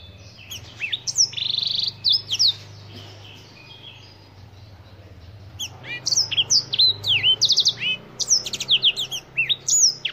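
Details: A Black-throated canary, the African finch with a tie-like black throat, delivers trilled and swooping high notes, pauses for several seconds, then resumes with a dense string of rapid chirps, over a steady low hum.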